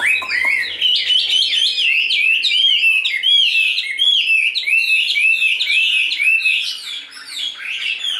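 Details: Captive Chinese hwamei, tame and big-bodied, singing during a fighting display: a dense, unbroken stream of varied whistled notes, quick upward and downward slurs tumbling over each other at a steady, energetic pace.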